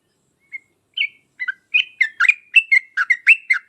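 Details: Yellow-vented bulbul lure song, 'uplik uplik tarong ropel' style, to make other bulbuls answer: opens with a few isolated whistled notes, then builds into quicker, rolling runs of bubbly chirps, roughly two per second.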